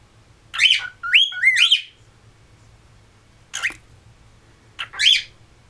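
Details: Pet cockatiels in West Newton, Pennsylvania, each doing its own thing as one tries to whistle: a few loud rising-falling whistled squawks, a quick double note near the start, then two isolated calls separated by quiet.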